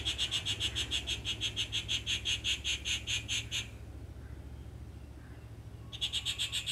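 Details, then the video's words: A Rufous treepie gives a fast series of nasal, metallic notes, about four a second, pausing briefly before resuming, over a steady low rumble. "Great voice : Rufous treepie"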